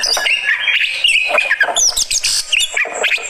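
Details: Oriental magpie-robin, a fighter-type bird, reacting in song: dense, rapid run of varied whistles, sharp chirps and buzzy notes, shifting pitch constantly with barely a pause.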